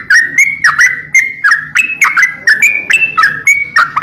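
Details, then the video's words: Greater green leafbird singing hard for a songbird-training master: fast chain of clean whistled syllables, alternating level and dipping notes, delivered in quick regular bursts over a faint low rumble. "masteran burung crocokan gacor abis"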